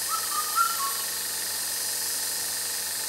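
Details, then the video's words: Indian cuckoo, described as rare and as a sign of summer, gives a single four-note whistled phrase, dropping and rising around the middle, followed by a steady high hiss that lasts through the rest. "Rare Indian Cuckoo calling | Indicator of Summer | Beautiful and loud singer"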